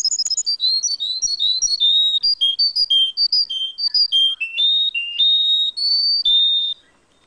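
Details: Russian song canary singing a varied phrase of clear whistled notes, quick rising and falling at first, then longer steady tones at shifting pitches, ending in silence.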